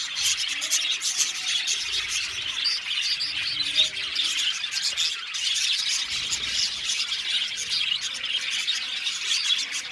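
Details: Many budgerigars in an aviary colony singing and chirping, a lively, constant mix of bright tweets and chattering warbles, loudest in short surges throughout.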